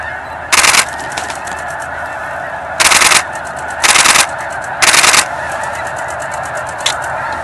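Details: A few thousand migrating snow geese flushed from a pond east of Edmonton: a steady chorus of calls, with four loud bursts of broadband noise about a second apart.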